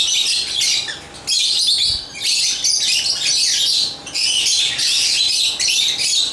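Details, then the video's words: Lovebirds (Agapornis) sing in harsh, squeaky chirping bouts, several overlapping voices producing scratchy high chatter that pauses briefly every second or so, over a faint hum. "African Love birds Agapornis chirps singing sounds"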